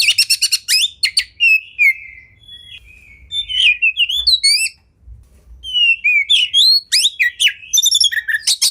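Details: Oriental magpie-robin (kacer) training song for caged birds, a champion-style full medley of bursts: rapid buzzy high chatters alternating with clear whistled slurs and sharp rising notes, dense and varied throughout.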